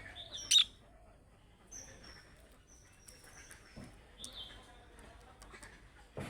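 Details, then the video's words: Budgerigar with chick-like calling notes that prompt other budgerigars to answer. One sharp, loud chirp is followed by thin high whistles, softer chatter and a final scratchy note. "MUHABBET KUŞU SESİ Kuşunuz Bu sese Karşılık Verecek Kuş Sesi"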